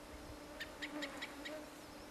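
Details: Wild white gyrfalcon at its Siberian nesting site calling in a quick, even series of five short, sharp notes about a fifth of a second apart, with mosquito-like buzzing droning underneath.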